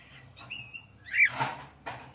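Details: Female cockatiel kept as a pet gives a single short bright chirp that bends upward and then falls, with faint rustling before it and soft noise after.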